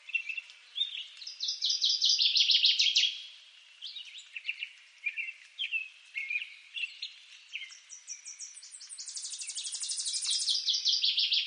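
Northern Waterthrush singing loud, ringing chips that speed up into a rapid, descending chatter, repeated in bursts over a quiet, hissy background.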